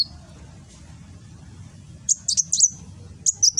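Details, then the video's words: High, thin sunbird chirps in the nembak style from a kolibri wulung in Gresik, East Java, Indonesia, phone recording: a short lead note, a long quiet gap, then a tight cluster of sharp twittering notes and a final pair. "Burung Kolibri Wulung nembak"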